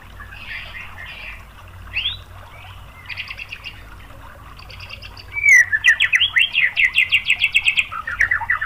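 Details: White-rumped shama (murai batu) lure song meant to stir other shamas into song. The first five seconds hold faint scattered chirps and short trills. Then come a bright falling whistle and a loud, fast series of about fifteen sharp notes.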